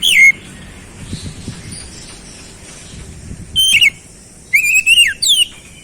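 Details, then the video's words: Oriental magpie-robin giving short whistled song phrases: one brief slurred note at the start, then after a long quiet gap a falling whistle and a few quick rising and descending notes. "KICAUAN KEMBALIKAN KACER MACET BUNYI CEPAT GACOR"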